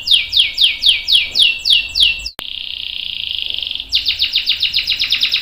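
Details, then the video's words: Canary rolling song meant to draw other canaries into song: spaced falling whistles about three per second, a steady buzzing trill, then fast repeated sharp notes. "KENARI GACOR NGEROL panjang bagus untuk PANCINGAN dan MASTERAN biar ikut BUNYI | CANARY SINGING"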